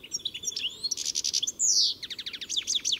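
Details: European goldfinch (Carduelis carduelis) singing: a rapid, high, tinkling twitter of short notes, a brief buzzy descending slur in the middle, then a quick run of repeated chirps, with no other clear sounds.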